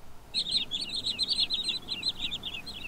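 Wood Sandpiper: a rapid run of high, thin whistled notes, so quick and close together they are hard to count, repeated through the clip.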